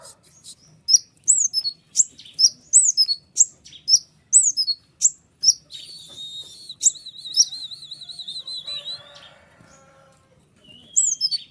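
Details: ['White-winged triller singing long ngeriwik song for training other songbirds. About a dozen sharp downslurred high notes are repeated roughly every half second, then a wavering buzzy trill and softer lower notes follow before another downslur.']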